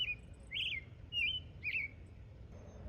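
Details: American robin (Turdus migratorius) at a campground in Palisade State Park, Utah, singing all day long: four short, warbling phrases that rise and fall, about one every half second, over a low steady background rumble.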